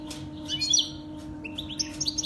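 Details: Saira canary song for training baby canaries: two quick clusters of high, sharp chirps, the second rising into bright rapid notes, with a constant low electrical hum underneath.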